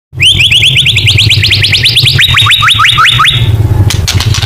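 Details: White-rumped shama singing in the rapid-fire 'nembak' style used as a lure recording: a fast run of about twenty sharp, upslurred whistled notes, dropping to a lower repeated series, over a steady low hum.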